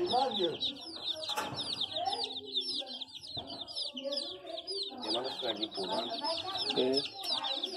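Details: Chicken chicks producing rapid, high, falling peeps in a dense chorus, interrupted by a couple of sharp knocks and some lower clucking sounds.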